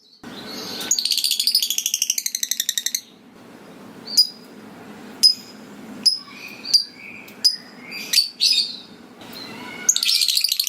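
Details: Lovebird switching between ngetik ticking and long ngekek chatter, meant to trigger other lovebirds: a two-second burst of fast high chattering, then a string of short sharp clipped notes and squeaks over soft background hiss, ending in more chatter.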